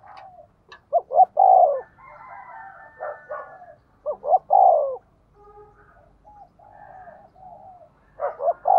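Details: Decoy spotted dove luring wild doves: groups of quick hollow coos rising into a longer held note, repeated about three times, with quieter drawn-out whistled notes in the pauses.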